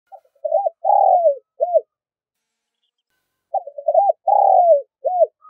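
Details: Spotted dove calling to lure wild doves, giving two cooing phrases: a stuttering run of short notes, a long drawn mellow coo falling at its end, then a short arched note, phrases about three seconds apart.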